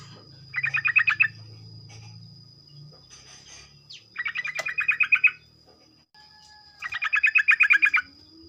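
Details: Morning song of a sooty-headed bulbul, used to stimulate other bulbuls into rapid singing: three separate bursts of fast, chattering repeated notes, each under a second long, with pauses between and a faint low hum and constant high whine.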